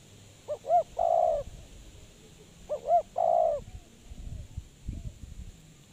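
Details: Decoy spotted dove for trapping, repeating a phrase twice: two quick looping notes then a long, rough, low coo. Faint rustling follows.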